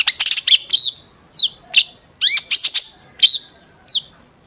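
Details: Long-tailed shrike song played as a lure for shrikes: a quick burst of sharp clicks, then spaced, falling whistled notes and short metallic chirps repeated roughly every half second to second, over a clean quiet background.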